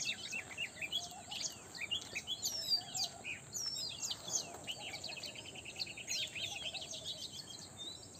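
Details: Early-morning bird chorus with many overlapping high chirps and rapid twitters, some in quick repeated series, above a constant hiss of ambient noise.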